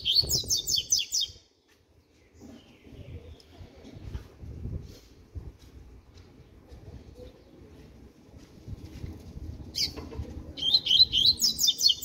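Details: Young double-collared seedeater, six months old and beginning to sing, gives a quick high twittering burst at the start and a longer run of sharp, repeated notes near the end. Quieter low rumbles and knocks fill the gap between them.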